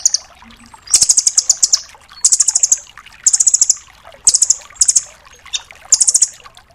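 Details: Rambatan doraemon nuthatch, a tutor recording for training songbirds, giving full tembakan phrases: six bursts of very high, rapid staccato trills, each about half a second long, spaced roughly a second apart over a quiet background.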